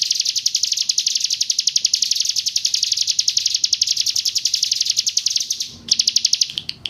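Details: A 'roll tembak' song of the Hill prinia from East Java: steady, machine-like chirps repeated roughly four times a second, high and piercing, pausing briefly before resuming.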